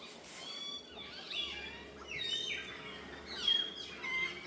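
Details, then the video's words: Several birds singing in the morning in a village setting; clear whistled notes and sweeping slurred phrases from overlapping birds, with steady environmental hiss. "Good morning friends sweet sound of birds"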